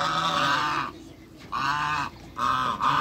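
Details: Three African geese at a Greek waterbird farm honking loudly on meeting a visitor: a long nasal honk, a pause, then two more strong honks close together.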